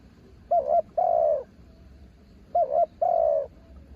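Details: Spotted dove decoy perched on a branch gives two clear coo phrases about two seconds apart, each a brief quavering note and then a longer, slightly falling coo.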